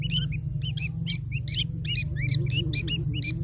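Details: Young long-tailed shrikes being fed by an adult make insistent scratchy squawks, roughly two and a half per second, some notes sliding upward, against continuous low-pitched hum.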